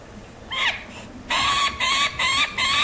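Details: A young Peregrine Falcon, the male banded "#2 White Boy", is handled during banding at the Rachel Carson Building, Harrisburg, Pennsylvania, on 27 May 2010. It gives loud, harsh, grating screams in quick bursts of three or four, each rasping note repeated about three times a second.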